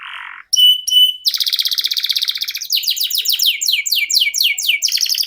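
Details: Canary song opening with a low buzzy note and two sharp whistles, then a long vibrating trill followed by fast repeated descending whistled syllables.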